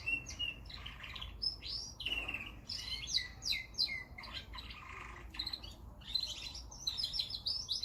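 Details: Singing canary pouring out varied high whistles, sweeping slurred notes and short rapid trills, phrases separated by brief pauses, clear against a quiet background.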